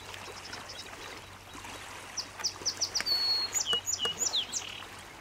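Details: Spotted sandpiper at MacPheat Park marina, Saskatchewan, on 20 July 2018 gives a quick run of about eight high, thin piping notes in under two seconds, then a few sharper whistles over a soft hiss.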